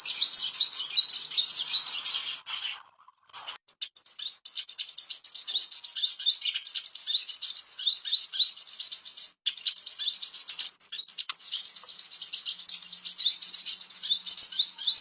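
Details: Long, continuous ashy tailorbird song used to bring on breeding condition, a steady stream of sharp high upward-flicking notes repeated several times a second, briefly broken near the start and again midway.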